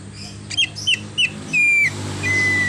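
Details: Greater green leafbird singing a song full of imitations, including a car horn: three short clear whistled notes dropping in pitch, then a long flat high whistle, a pause, and another sustained level whistle over a low hum.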